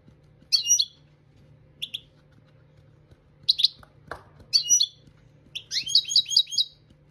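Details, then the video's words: European goldfinch singing for song training, with scattered twittered phrases and gaps, a single click, then a closing run of repeated sweeping chirps; a low hum runs throughout. "Chardonneret Dressage Maknin"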